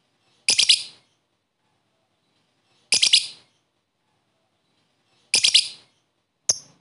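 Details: Lovebird chirping used to prompt sluggish lovebirds into singing quickly; harsh, high, clustered chirp bursts spaced two to three seconds apart, with a short final chirp, otherwise quiet.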